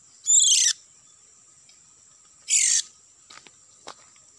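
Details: Trapping lure of an Oriental magpie-robin, set in an oil palm plantation. Two loud, buzzy, scratchy bursts with descending streaks are followed by a few faint clicks, over a constant high-pitched hum.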